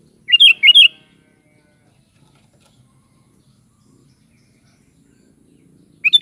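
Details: Sooty-headed bulbul singing one short phrase of three quick bubbly whistled notes, then a long silence before another phrase begins at the very end.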